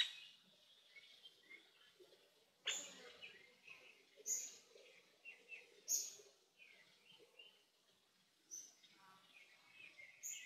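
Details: Resident Korean azure-winged magpies tending their young give a series of rasping, harsh calls at irregular intervals. Thinner high squeaks and whistled notes are mixed in throughout.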